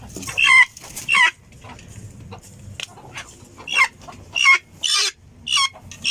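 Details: Helmeted guineafowl giving scattered harsh, scratchy calls at uneven intervals, some shrill and short, separated by quieter gaps with low rumbling background noise.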